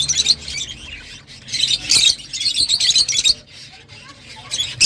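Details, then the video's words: Kept lovebirds give a busy run of high, sharp twittering chirps and squeaks that rise and fall in loudness, with a brief lull near the end. "تغريدروز/صوت روز /Love Bird Sound"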